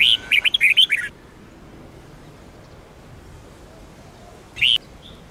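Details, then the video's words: Red-whiskered bulbul in the Sông Kôn song style, for training: a rapid phrase of bright, bubbly whistled notes, then a long quiet gap, and finally a single rising note. A soft background hiss is present. "chào mào SÔNG KÔN hót cực hay , dùng luyện chào mào mỗi ngày , luyện chào mào hót căng lửa"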